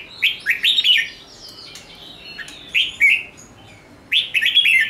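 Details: Red-whiskered bulbul song used to stimulate birds for singing contests: three bursts of bright, quick whistled phrases with warbling slurs, separated by quiet pauses of about a second.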